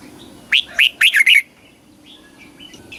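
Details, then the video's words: Red-whiskered bulbul in Thailand, southern-style tutor song for caged birds and chicks: one lively phrase of two upward chirps and a rapid cluster of three liquid slurred notes, then near quiet. "เสียงนกกรงหัวจุก สำหรับต่อ หรือ เปิดให้นกคึก"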